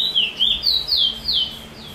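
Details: Chestnut-bellied seed finch, known in Trinidad as bullfinch, in its chee chor weet sweet roll song style, recorded 22/06/20: high, sweet whistled notes, each sliding downward, repeated rapidly in an even rolling series.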